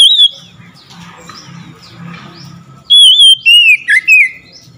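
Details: After a short note, an oriental magpie-robin responding to another magpie-robin pauses, then bursts into a rich string of loud whistles and twisting warbles.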